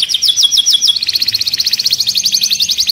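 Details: Canary mating song for stimulating other birds: a burst of fast repeated high chirps that speeds into an even quicker rattling trill.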